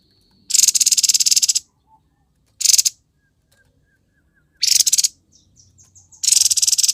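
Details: Grey-headed babbler, singing actively in konslet fashion: loud harsh buzzy rattles about a second long, repeated with pauses, with a string of soft thin high notes before the final burst.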